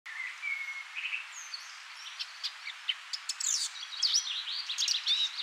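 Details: Male Eurasian blackcap singing while perched in a bush by the River Honddu, Pandy, near Abergavenny, South Wales: a few thin whistles, then a quick jumble of high, varied warbling building into a fuller, busier phrase, over steady outdoor hiss.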